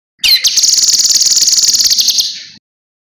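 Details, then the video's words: A cucak kinoi's song, offered for other birds to learn. A quick descending note opens into a dense, high, fast-pulsing trill of about two seconds that ends abruptly. "Masteran Burung Kinoi Jernih Gacor Paling Ampuh"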